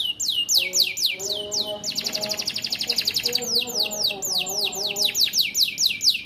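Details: Canary singing a loud song with ciblek imitation phrases worked in: fast runs of bright, high, downward-sweeping whistles, a dense buzzy trill in the middle, then more rapid swept notes. Faint lower steady tones sound underneath.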